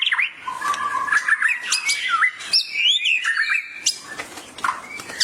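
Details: White-rumped shama answering a training recording in heated gacor emosi song, a quick run of looping whistled notes, upward slurs and chattering fragments delivered almost without break.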